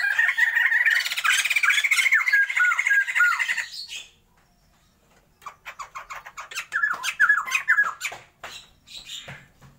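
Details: Captive breeding pair of Sumatran white-crested laughingthrushes: a dense burst of loud, chattering, squawky notes for about four seconds, a pause, then a second run of sharp, descending whistled and scratchy phrases.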